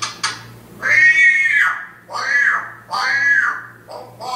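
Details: African grey parrot in Riyadh, a large bird said to recite the Quran's Al-Fatiha and praise God often: drawn-out, nasal, voice-like syllables in three long phrases with pauses, recorded indoors.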